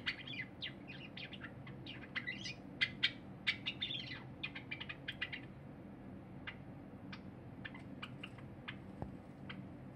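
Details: Singing cinnamon Java sparrow, a pet, recorded 23 January 2021 beside a feeding silver Java sparrow: dense rapid clicking and bright notes for the first half, then sparser chirps and a dull thump near the end.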